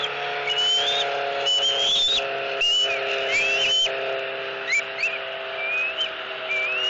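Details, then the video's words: Hungry eaglet screaming at its mother over a fish in a Southwest Florida nest, April 2018. Rising whistled squeals, several in a row then softer ones, over a steady low mechanical hum. "SWFL Eagles ~ Harriet Maintains Control ~ Screaming E11"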